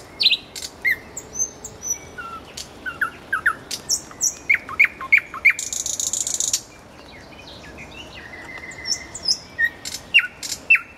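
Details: Common nightingale singing beside a road: varied phrases of sharp rising whistles and clicks, a run of three quick upswept notes, then a dense buzzy rattle, followed by more scattered whistled notes.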